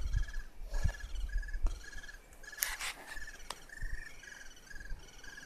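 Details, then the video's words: Little birds in a nest in an old tree in a forest give short, steady, high peeping notes, repeated roughly every second, over a low rumble with occasional knocks and clicks. "Birds singing in a nest"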